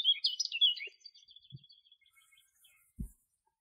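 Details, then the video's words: Woodland canary singing a burst of quick warbled, twittering notes that fade into a soft, thin trill, with a few low thumps near the end. "O canaro da mata cantando!!"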